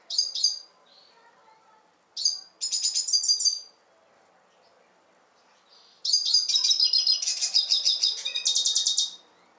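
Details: Red siskin song recorded in Turkey: a few sharp high chirps, then a short twittering burst, a long silence, and a sustained three-second run of rapid chirps ending in a dense buzzy trill.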